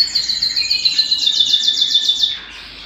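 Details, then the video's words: Canary singing at home, giving a fast high trill of evenly repeated notes that stops abruptly after about two seconds. "canary singing at home"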